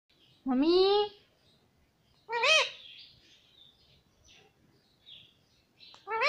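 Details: Pet parrot saying mummy: two loud harmonic, arching squawked syllables a second apart, then soft chatter and a third call starting at the end.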